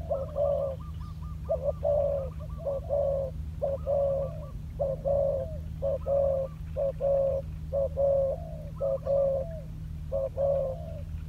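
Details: Spotted dove, a trained lure bird working on the ground, gives a long series of soft, low, hollow coos, about eleven phrases in eleven seconds, each with a short introductory note, over a steady low electrical hum.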